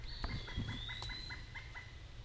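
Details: A Pileated Woodpecker calls on a trail in the Great Smoky Mountains: a quick series of about eight evenly spaced ringing notes, with an eastern wood-pewee's thin high whistle behind and low trail noise.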